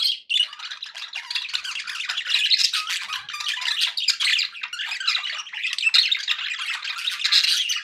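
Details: Lively warbling from happy pet budgies, unbroken scratchy chatter with clicks and high squeaky notes, several birds calling together.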